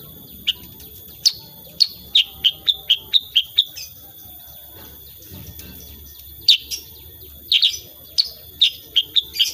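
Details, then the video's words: Sooty-headed bulbul called kutilang sutra giving 'tembakan' shot-like song in lively 'gacor' form: a brisk series of evenly spaced sharp chirps, a break, then denser doubled notes and another quick run, steady high tone behind. "KICAUAN KUTILANG SUTRA SUPER GACOR"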